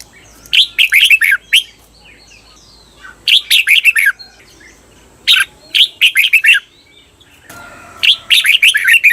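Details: Training recording of a red-whiskered bulbul's doubled (เบิ้ล) song from a cage bird: four fast phrases of clear, bouncing notes, about every two and a half seconds.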